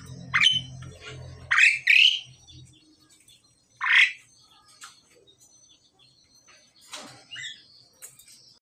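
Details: Pied myna pair, male and female, in the pairing process: a few raucous, grating squawks in quick succession early on, then a single harsh note near four seconds and softer scattered chatter afterward.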